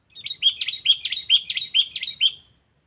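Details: A sooty-headed bulbul being trained as a decoy delivers a loud, rapid string of about nine bright chirping notes in just over two seconds, each note sharply rising and falling.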